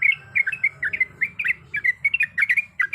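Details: A female sooty-headed bulbul calls to the male with quick, liquid, warbled notes in short bursts of two or three. The chirps come densely over a faint low background rumble.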